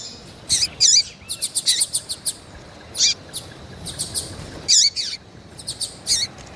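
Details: A female Double-collared Seedeater in heat calls constantly for males raised for song tournaments. Bright, high chirps repeat in uneven bursts. Some have curling, downward-bending tails, and the spaces between them are brief and quiet.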